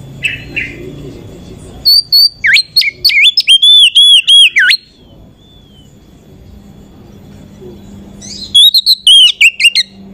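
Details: Oriental magpie-robin lure song used to raise other magpie-robins' excitement: loud bursts of sharp, looping whistled notes in quick succession, a pause with faint background hum, then another burst of whistles.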